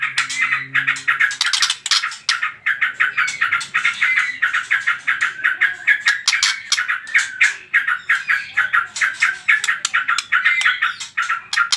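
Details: White-rumped shama singing in trotol style, a lure song for provoking other birds to sing: rapid bursts of chattering notes repeated about twice a second for the whole stretch, with a faint low hum near the start.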